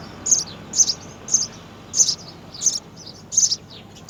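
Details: High, bright chirps repeated roughly every half second, a few with a short trailing note, from three young house sparrows fed at the nest by mother and father.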